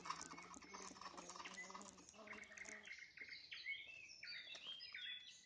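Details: Nightingale at sunset, its song first half-masked by a low, buzzing, harmonic noise, then emerging as clear, sliding whistles and short bright phrases rising and falling against a quieter background.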